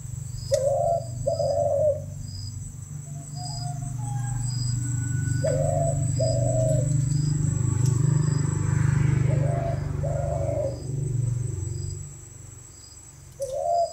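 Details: Spotted dove cooing: soft low paired hoots repeated in short groups, over a steady low hum and a constant high whine.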